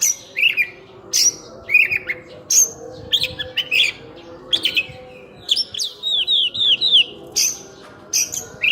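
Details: Kacer, the oriental magpie-robin, in energetic full-isian song: loud varied whistles and sharp chips, including a run of four or five repeated downslurred notes midway, phrases separated by brief gaps, little other sound.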